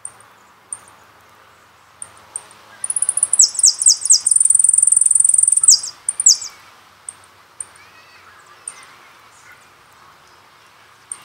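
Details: Jilguero from the Carasucia CD: scattered thin chips, then a continuous rapid buzzing trill mixed with falling slurred phrases lasting about three seconds, then isolated high notes again.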